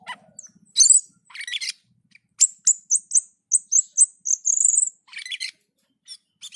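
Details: Cucak keling, the black-and-white bulbul, in gacor and teler song: a quick series of clipped high whistles, then a longer drawn whistle and scratchy chattering phrases at the end.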